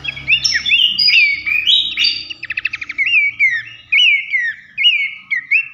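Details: Horsfield's babbler; song; lure recording to provoke other babblers into singing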